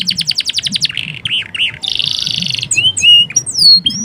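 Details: Male canary master song used for training, a varied burst of rapid high chip series, a buzzy trill and sharp whistled sweeps and slurs, loud and close with faint low background noise.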